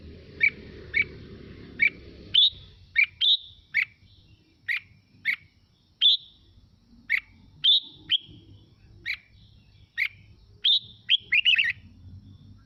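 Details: Song of a red-whiskered bulbul, Mào Mộc type, used as playback to excite other birds into singing. Sharp, clear chirped notes spaced about half a second apart, some higher and slurred, ending in a short jumbled twitter.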